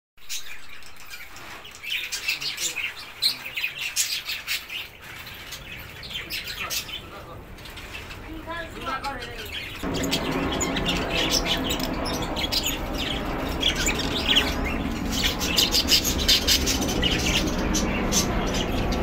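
Cockatiels chirp and whistle in a busy flock, with short bright calls repeated rapidly.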